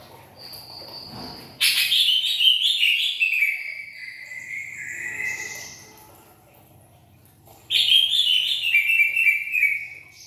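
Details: Greater green leafbird song in two loud bursts of rich, tumbling whistled notes sliding downward, separated by a quieter stretch of thin high tones and faint background hum.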